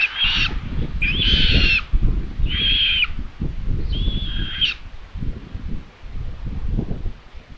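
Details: Common buzzards at a live-camera nest in Tiszalök, Hungary, 27 May 2022 at midday, as the mother brings in another chick for lunch. Four strong, slightly hoarse whistled squeals in quick succession, then quieter wind.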